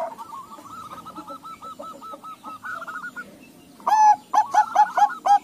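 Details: Crossbred Bangkok-local zebra doves all responding: a faint bird repeats quick, even cooing notes, then a nearby bird bursts in with loud, rounded coos spaced about a quarter second apart.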